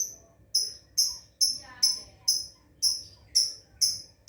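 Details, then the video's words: Lovebird practising ngekek chatter, giving sharp high-pitched chirps repeated about every half second, nine in a row, over a quiet low background hum. "Love Bird"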